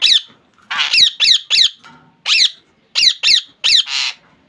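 A rose-ringed parakeet gives harsh, rasping screeches in quick bursts of two or three, each note sliding sharply in pitch, about ten calls in under five seconds.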